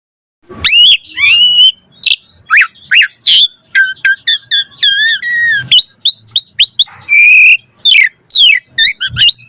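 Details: Asian pied starling in full varied song, used to prompt other starlings to sing: a rapid run of whistled upslurs, harsh squawks and wavering notes, densely packed with short pauses.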